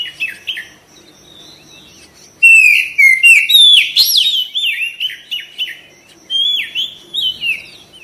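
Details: Oriental magpie-robin therapy song meant to spark quick, energetic singing with the tail opened: after a soft start, loud varied whistles and sharp slurred notes come in rapid separate phrases over a faint constant high tone.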